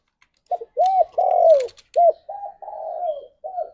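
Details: Spotted dove singing vigorously at dawn, used to stimulate mating: clear arched coos in sequence, a short note, a rounded coo, a long falling note, then further hollow drawn-out coos and a final clipped one.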